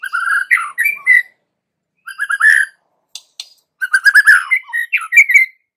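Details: White-rumped shama, a young forest-caught bird, in loud varied song: quick stuttered note runs, slurred whistles and bright whistled phrases in three bursts separated by short pauses.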